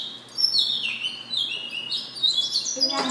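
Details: Goldfinch mule in song: quick twittering high notes and slurred whistles running together, dipping and rising in pitch, ending with a sharp broadband click.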